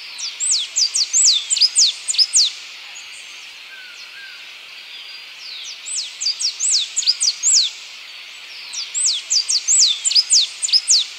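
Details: A Blue-and-yellow Tanager (Pipraeidea bonariensis) sings three bursts of rapid, high, sharply down-slurred notes, each about two seconds long, over a steady background hiss.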